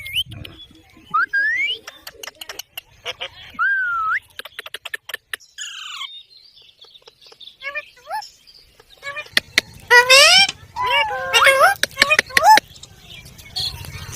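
A parrot runs through sliding whistles, clicks and harsh, speech-like squawks in quick bursts, with a low background hum during the louder second half.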